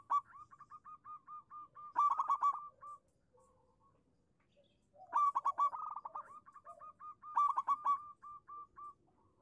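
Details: Local zebra dove calling as a lure for silent doves: three long phrases of steady, evenly repeated coos climbing into fast, rolling trills, separated by brief pauses with faint lower notes.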